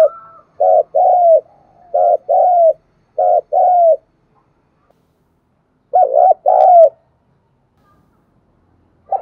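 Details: Wild-type field spotted dove giving fast, excited coos: three quick pairs of mellow falling hoots, a pause of two seconds, then another pair, with a faint thin whistle at the start.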